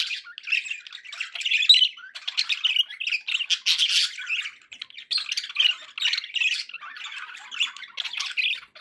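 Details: Lively budgie warbling: dense, scratchy chatter mixed with high squeaks and clicking notes, continuous throughout.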